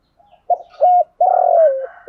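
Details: Decoy spotted dove cooing to lure wild doves: a faint soft note, then a short level coo, a long burry coo sliding downward, and the start of another coo.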